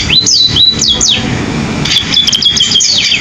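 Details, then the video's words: Sparrow, called pipit, singing in a canary-like style: loud, clear whistled notes that slide up and down, with quick repeated slurs and brief twitters over a low background rumble. "burung pipit rasa kenari"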